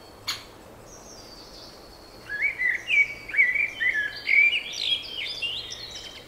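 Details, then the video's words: Spring birdsong: a brief high click, a thin high whistle, then a rambling sequence of slurred, warbling notes rising in pitch toward the end, against constant low hiss. "Wiosenny śpiew ptaków"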